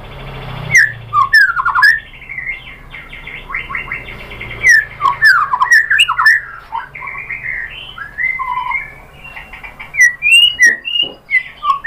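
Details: White-rumped shama song used to provoke singing: spaced bursts of swooping whistles and scratchy warbles, with longer drawn-out whistled notes and a low hum in the background.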